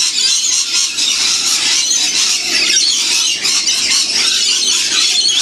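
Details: A large wild flock of lorikeets at a winter feeding spot in the Blue Mountains, Australia, given seeds and honeyed bread; constant high, harsh squealing from many overlapping birds.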